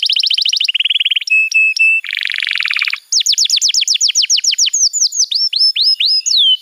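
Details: Canary song used as training material for young birds: quick trills at different pitches, short flat whistles, a low buzzy roll, then a series of downward-sweeping whistled notes.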